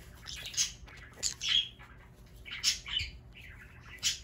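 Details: Pet green-cheeked conure screaming while playing indoors in Aichi, Japan: harsh, high, rasping shrieks in irregular bursts, about one every second or two, over quiet room background.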